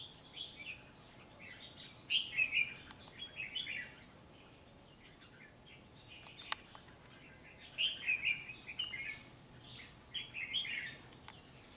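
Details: Red-whiskered bulbul, a trapped bird kept for song competitions, giving bright, bubbly warbled phrases in bursts, with pauses between.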